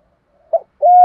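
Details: Spotted dove in the fast 'kích bổi' song style: a brief soft note, a short pause, then one clear, level, hollow coo.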